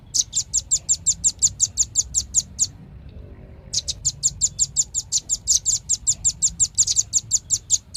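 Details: Velvet-fronted nuthatch singing long trains of rapid, piercing high chips, broken by a second-long silence midway, then resuming at the same brisk pace.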